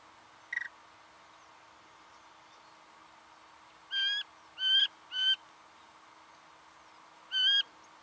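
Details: Recorded in Victoria, Australia, in November 2011, a singing honeyeater gives a brief chip, then three nasal harmonic notes in quick succession and one more after a pause.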